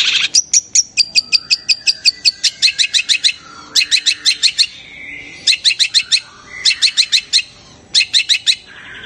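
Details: Long-tailed shrike call that reportedly excites rival shrikes into singing at once: fast trains of sharp clicking notes in bursts, with brief low whistles and harsh rasps between them.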